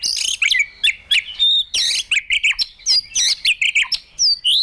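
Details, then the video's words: Provoked White-rumped shama in training for fighting song, tail-flicking on the perch; very high, sharp whistles and trilled bursts, delivered in short separated phrases. "Chòe Lửa Đánh Đuôi Sàn Cầu Kích Lửa Hót Căng. luyện Chòe lửa hót đấu"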